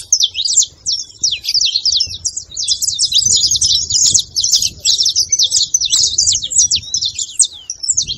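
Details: Saffron finch singing, played to encourage a silent canary: sparse high chirps at first, then a long dense run of rapid buzzy trills and twitters, fairly steady, with quiet low background noise.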